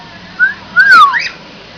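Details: A lutino cockatiel gives a few clear whistled notes: a brief rising one, then a longer note that swoops down.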